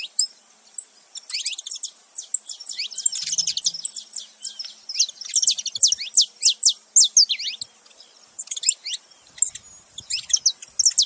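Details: Saffron finch, a male and female together, making noise: rapid high chirps and sharp downslurred notes in irregular bursts, busiest in the middle and final seconds.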